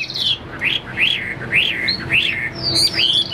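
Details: Caged Chinese hwamei kept for sale, singing a series of loud slurred whistles that rise and fall. Each note lasts about a third of a second and repeats roughly every half second, with a faint low hum behind.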